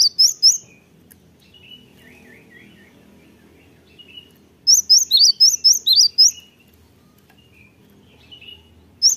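Cinereous Tit song: quick bursts of bright, high, sharp repeated notes in two loud spells, with softer lower whistled notes between them.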